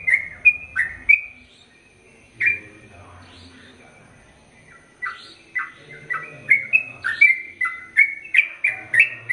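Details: Sooty-headed bulbul delivering fast whistled phrases, falling silent for several seconds with only faint sounds, then breaking into a dense run of bright, downslurred notes toward the end.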